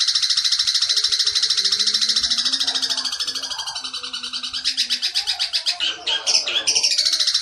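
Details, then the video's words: Rapid, rasping 'petir' style song of a long-tailed shrike, made for training captive birds: fast buzzy notes repeated steadily, breaking into choppier, uneven bursts near the end, with faint low tones beneath. "masteran cendet petir"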